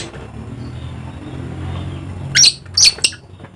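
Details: Dusky lory, endemic to Papua in eastern Indonesia: after a stretch of low hum, a quick cluster of three to four shrill, rasping screeches near the end.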